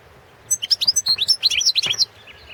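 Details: Balkan goldfinch, Carduelis carduelis balcanica, singing a competition entry for the 2017 Serbian-run World Championship in Goldfinch Song; a dense, rapid run of high, liquid twittering notes and quick upslurred chirps lasting about one and a half seconds.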